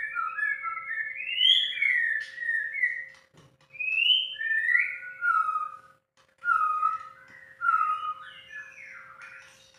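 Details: White-rumped shama kept in a cage, singing loud fluting whistles in flowing phrases that slide downward, broken by short pauses, with a steady faint hum behind.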